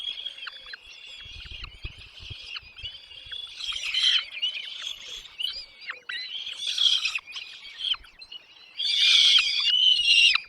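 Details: Chicks in a nest being fed by both parents, giving a dense, overlapping chorus of high, shrill chirps and squeaky notes in fast bursts. The bursts swell louder several times, especially near the end.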